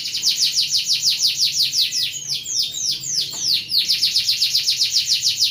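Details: Canary 'ngeroll' song for training other birds: a continuous fast roll of high, downward-curving whistled notes, slowing briefly into longer sweeps midway before racing back into the quick rhythmic trill.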